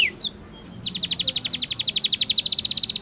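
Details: Canary song for training juvenile birds: two brief descending chirps, a pause, then a fast even trill of pulsed notes repeated many times per second, over low background noise.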